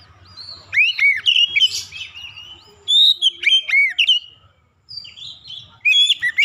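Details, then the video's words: Clear Oriental magpie-robin song used to coax other magpie-robins into singing; three bursts of rapid, crisp whistles and downward-slurred notes separated by short pauses, over a faint low hum. "kicauan jernih Kacer pemikat | KACER macet bunyi langsung ikutan gacor"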